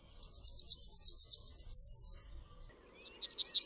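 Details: Yellowhammer (Emberiza citrinella) singing a rapid series of about fourteen high, buzzy chips that runs into one long drawn-out note. A new phrase begins at the end. The background is quiet.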